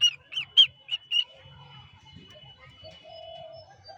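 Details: Cockatiel uttering five quick, bright chirps in a row, followed by quieter chatter and a low steady tone.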